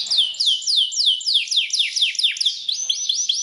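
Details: Canary song of the Belgian breed, used to prompt canaries to sing, a run of descending slurred whistles several per second that speed up and end in higher, rising notes.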